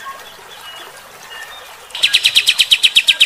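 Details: Bulbul known as kapas tembak, its coarse 'tembakan' song aimed at provoking fighter-type birds; faint whistles, then an abrupt run of loud sharp chips about four per second.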